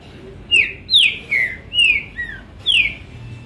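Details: Green-winged saltator in captivity singing a sequence of five or six ringing whistles, each slurring downward, the phrase repeated with short gaps, over a soft steady background.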